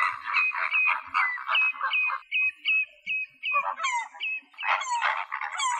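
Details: Male mallards (Anas platyrhynchos) in Greece give a rapid run of harsh, nasal quacks, about ten in five seconds, overlapped by higher squeaky notes from several birds calling together.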